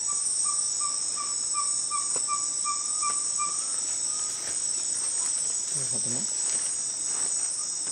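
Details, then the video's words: Ferruginous pygmy owl (Glaucidium brasilianum), recorded in May 2020, gives a fast run of even, whistled toots, about three per second, over a loud, steady insect drone, with a brief low voice near the end. "Ferruginous Pygmy Owl - Glaucidium brasilianum"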